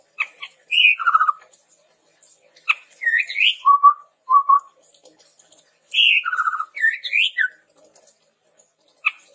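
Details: Lure song of the chestnut-rumped babbler for tutoring caged birds: two bursts of rolling trills and rising whistled slurs, with short low whistles between them and clicks at the start and end.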